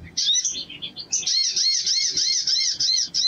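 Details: High twittering notes lead into a sustained buzzy series of arched squeaky notes, steadily repeated, from a crimson sunbird.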